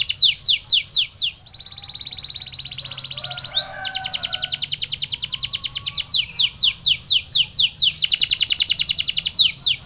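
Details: Canary song aimed at recovery after molting: quick downward chirps, a long steady rolling buzz with a short upward slur, then repeated falling notes and a dense high trill.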